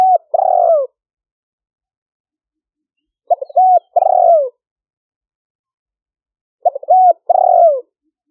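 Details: Captive decoy spotted dove recorded on a smartphone in Roi Et province, Thailand, 2021, calling wild doves in: three phrases roughly three and a half seconds apart, clipped stuttering coos then a long falling burry coo.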